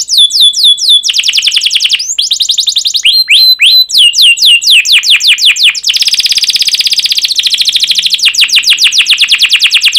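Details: Canary singing, intended to stimulate other canaries: rapid falling chirps, varied whistles and sweeping notes, then a long dense rolled trill, with the song running almost without pause.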